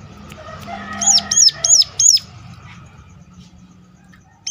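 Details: Over a steady background hum, a Sunda warbler gives four sharp, high, arched notes in a quick row. The call serves to lure other birds of its kind to sing.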